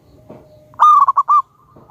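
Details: Local wild-type perkutut, or zebra dove, singing energetically with a big voice. It gives one loud phrase of four stuttering, bubbling coo notes, with a faint coo trailing after.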